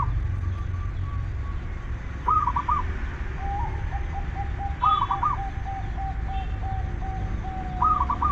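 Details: Silver zebra dove singing actively, used as a lure to stimulate other doves to sing: short, faint cooing phrases about every two and a half seconds, each with a brief rising note, over steady low rumbling background noise.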